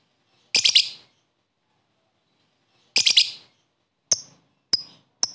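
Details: Lovebird sounds for rousing sluggish lovebirds into song; two harsh, rasping, high chirp bursts about two and a half seconds apart, followed by three short, thin, high clicks in quick succession.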